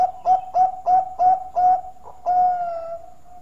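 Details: Loud melodious song of a Bangkok-type zebra dove. Pulsed, throaty coos repeat about three times a second, then a brief hiccup note, then a long drawn-out coo that slowly fades.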